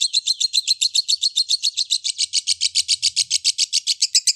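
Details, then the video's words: Lovebird singing in a fast, even stream of high, sharp chirps, about four per second, each note buzzy and ringing, with a faint low rumble partway through. "SUARA BURUNG LOVEBIRD SANGAT MEMPESONA"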